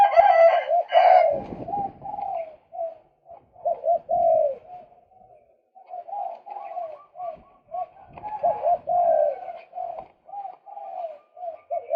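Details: Lure recording of a male white-breasted waterhen, meant to attract birds: a steady run of throaty, gurgling croaks in quick succession, opening with a rough, noisy burst, some knocking sounds in between, and the phrases repeating for twelve seconds.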